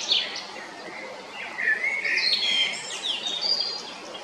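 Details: Male Eurasian blackbird singing at Jarun, Zagreb, Croatia, on 22 April 2021: fluty whistled phrases sliding between mid and high pitch, with squeaky higher twittering notes mixed in, over a steady background hiss.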